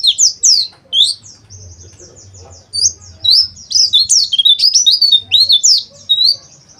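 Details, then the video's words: Oriental white-eye, intended to prompt rough twittering and beak opening: dense, excited high chirping and twittering in quick, irregular bursts, loud throughout with brief pauses, over faint low hum. "TERAPI PLECI AGAR NGERIWIK KASAR DAN BUKA PARUH"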